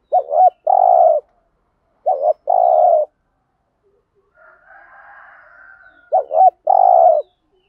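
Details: Spotted dove coo in thổ-style voice, played so decoy doves coo in reply: three phrases, each a brief wobbling double note then a sustained mellow coo, with a faint higher call between the second and third.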